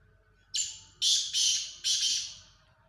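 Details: Black francolin, locally called kala teetar, giving its call: four loud, harsh, grating notes spread over about one and a half seconds. The first note is shorter and the later three are longer and rasping, against a quiet background.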